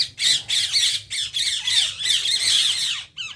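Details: Indian ring-necked parakeets making harsh, grating squawks in rapid bursts, each about a third of a second long, repeated almost without pause, with one thin sliding whistle faintly underneath.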